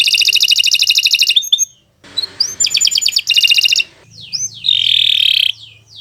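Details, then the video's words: Canary long song for training other birds, with a fast rolling trill, a pause, short rattling bursts with rising whistles, and a sustained buzzy tone near the end. "Kicau Burung Kenari 135 II LUAR BIASA GACOR PANJANG Cocok untuk Masteran"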